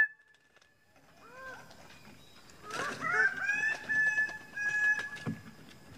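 Greater bird-of-paradise giving loud, nasal, ringing calls that rise and then hold steady for over a second, after a few soft curved notes. A thin whistle sounds at the start.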